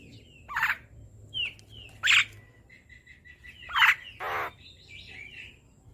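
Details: Asian pied starling training song for cage birds, with scattered harsh squawks and short whistled notes spaced over several seconds.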